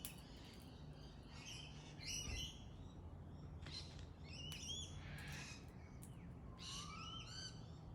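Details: Pale-headed rosella giving a loose series of harsh, squawking notes and short, high chirps at irregular intervals, ending with a smooth rising whistle, over constant low-pitched background noise.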